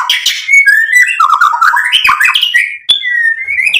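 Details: White-rumped shama lure song to trigger an emotional reply: a jumble of chirps slides into smooth whistles climbing in pitch, a sharp click-like note, then a rising whistle.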